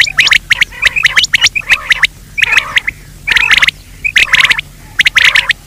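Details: Quail sound played in daytime to lure quail: clustered bursts of sharp, high chirps repeated roughly once a second, separated by short silences.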